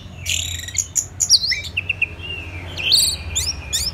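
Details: Orange-headed thrush in song: high sharp notes followed by sliding whistled slurs, some falling and some rising, uneven in pace, over low steady background hum.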